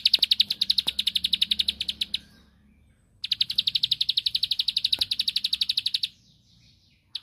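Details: A bar-winged prinia sings to provoke a rival into answering, giving two long, fast, buzzy high trills of two to three seconds each. A few faint clicks sound in the background, and a third trill starts at the end.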